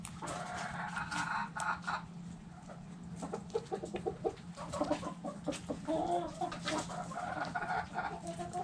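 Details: Backyard hens clucking, a dense run of short, broken, throaty clucks and chatter rising and falling in bursts throughout, several birds overlapping, over a steady low hum.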